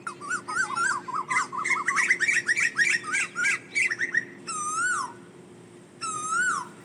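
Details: An Asian koel, calling to its flock, gives a fast, bubbling run of rising notes, then two drawn-out, swooping whistles over a faint steady hum.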